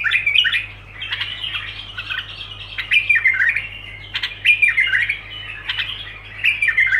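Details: Continuous bulbul song in rapid, uneven bursts of harsh chatter mixed with brighter whistled notes, repeating several times a second, with a constant faint low hum underneath.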